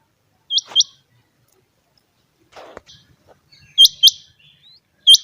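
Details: Changa quail giving a double whistled note, a short pause with a faint thud and rustling, then further paired sharp, high upswept calls toward the end.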